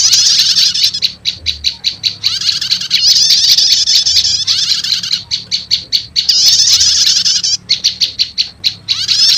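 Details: Lure recording combining prenjak lumut and prenjak setater voices to attract wild prinias: rhythmic series of sharp high chips alternating with dense bursts of scratchy twittering, repeated throughout.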